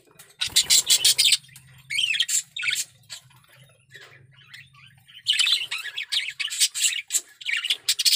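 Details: Male budgerigar in breeding condition singing bursts of loud harsh chattering warble, a quieter stretch of softer chirps over a low hum, then the fast scratchy warble resumes.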